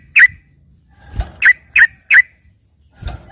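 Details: Yellow-vented bulbul trained in the isian style, its song likened to a greater green leafbird: one crisp chirp, then three quick bright chirps in a row, with low dull knocks before and after.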